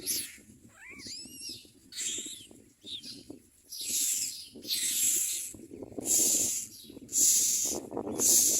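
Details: Common myna babies being fed and screaming for food. A thin rising whistled note comes first, then a series of harsh hissing screams that grow louder, about one per second.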